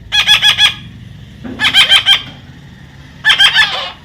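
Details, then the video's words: Parrot said to talk, making three rapid series of four or five clipped, nasal, harsh syllables, each series under a second long and separated by about a second and a half of quiet. "funny talking parrot compliment.Parrot Talking"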